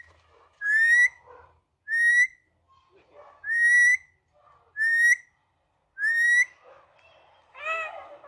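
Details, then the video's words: Talking parrot kept as a pet, whistling five short rising whistles at a little over one-second intervals, with soft murmuring sounds between them and a lower, harsher note at the end. "parrot whistling"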